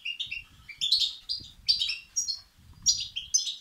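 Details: Begging European goldfinch chicks, used to stimulate males; quick high chirps climbing in pitch, then harsh buzzy twittering bursts repeating rapidly over a soft low hum.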